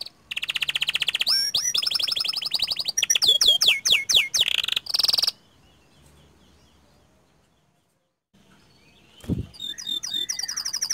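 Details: Panda canary in full 'gacor' song with 'ngerol' rolls: about five seconds of fast high trills and repeated upswept notes, then near silence, and a short burst of high notes at the end.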